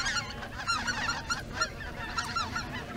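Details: Greater white-fronted geese flying in formation near Izunuma, Miyagi, before dusk, apparently heading out to feed again and often shifting positions, give a busy overlapping chorus of high, yelping two-note honks, several each second.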